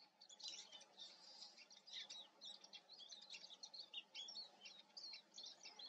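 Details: Eurasian siskin with busy, chattering twitters that rise and fall in quick phrases, and a soft background hiss throughout.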